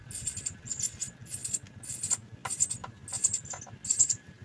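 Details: House sparrow chicks at the nest being fed, giving high, hissing cheeps in quick bursts about every half second, with soft clicks and a low steady hum beneath.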